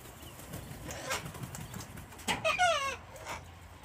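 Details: Wild flock of cockatoos being hand-fed on an Australian home deck, winter Sunday, cold and wet; softer rustling leads into one loud, raucous, falling screech with gritty harmonics.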